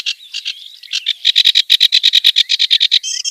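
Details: Kerak basi in the wild opens with a few varied notes, then settles into a fast, steady series of loud, harsh chack-like notes repeated about seven times a second.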